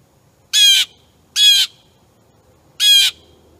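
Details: A wild blue jay (Cyanocitta cristata) at a suet feeder on 22 August 2015, with a wild turkey nearby, gives three loud, harsh jeer calls, each about a quarter second long, roughly a second apart over quiet background.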